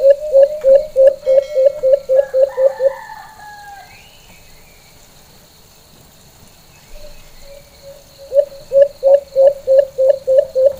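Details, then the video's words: A White-eared Brown Dove in the Philippines gives its full, normal calling song: fast runs of short, low hooting notes, about three a second, in two bursts, with faint higher calls from other birds between. "HONING BUO NG ALIMOKON.(calling sound of white eared brown dove)"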